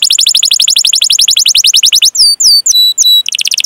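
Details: Canary in long rolling 'cuit cuit' song for training young or non-singing canaries: a fast even trill of rising notes, then a few clear whistles sweeping down or holding steady, then a brief trill.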